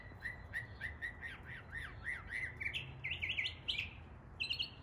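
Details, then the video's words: In East Tennessee, a Northern Mockingbird imitates local birds, singing a fast string of repeated chirps and short whistled phrases, stepping upward in pitch as it runs through borrowed notes of other birds. "A mockingbird imitating the sounds of local birds"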